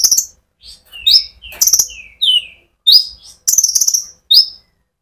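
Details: Sunbird (konin) singing steadily as a lure for other sunbirds: a quick mix of high thin slurred whistles, some dropping in pitch, and dense high trilled bursts, with short pauses between phrases.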